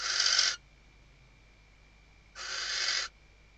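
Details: Two rasping, breathy screeches from a female Western barn owl calling her mate while arranging the nest, filmed by webcam in the Ebro Delta, Tarragona, Spain, in 2023; nearly two seconds of quiet separate them.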